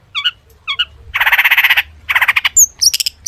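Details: Long-tailed shrike in full song packed with imitated sounds, played to prompt other shrikes to answer. Two short chirps, then long harsh rattling bursts, followed by quick high whistles and sharp notes.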